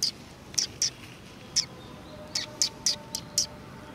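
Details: Sparrows greeting arrivals at a community hall, 16 July 2020: scattered bright, clipped chirps, about nine in four seconds, irregularly spaced with a gap in the middle, over quiet background hum.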